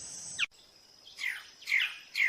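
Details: Male magnificent bird-of-paradise in the Arfak Mountains jungle, West Papua, during mating season courting a female, gives short, harsh, descending notes repeated about every half second over a steady high insect hum.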